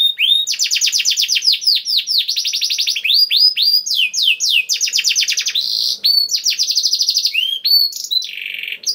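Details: Continuous canary song used to lure other canaries into singing: fast rattling trills of repeated falling notes, switching every second or so to new phrases, high sweeping whistles and a buzzy final section.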